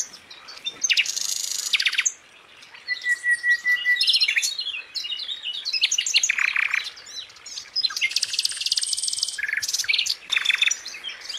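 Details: Sikatan flycatcher singing at length: varied high chattering trills and buzzy bursts, one steady whistled note, phrases run together with short gaps between them.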